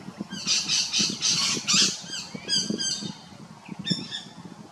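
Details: Raucous squawking from rainbow lorikeets, South Australia, Big Swamp Station. Grating screeches run in a rapid series at first, then scattered thinner calls, over a low rumbling thud in the background.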